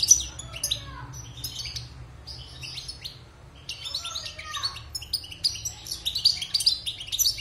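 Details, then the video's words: European goldfinch, wild-caught and six months in a cage after moulting, singing varied high twitters and buzzy trills, a quieter stretch mid-way, then rising again into dense tinkling chatter. "Chant de Chardonneret sauvage (Repassage)|غناء حسون خلوي خارج من تغير الريش"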